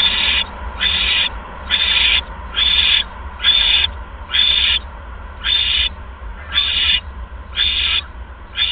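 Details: Owl at the nest during a second mouse delivery, evening of 16 February 2015 at 8:38 PM; a steady run of about ten short, raspy hisses, roughly one per second.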